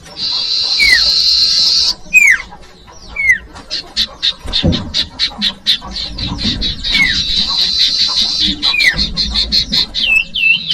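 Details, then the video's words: Common iora (cipoh, sirtu, sirdung) song used as a lure for young birds: a long buzzy rasp, then sharp falling whistles among a rapid run of high ticking notes and trills. "Audio Suara Burung Cipoh/Sirtu/Sirdung cocok buat pancingan bakalan"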